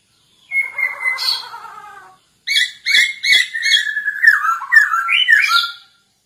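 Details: Masked laughingthrush, recorded as a lure for training other birds: a harsh drawn-out squawk, then after a short gap a fast chattering series of sharp notes that run into warbled whistles.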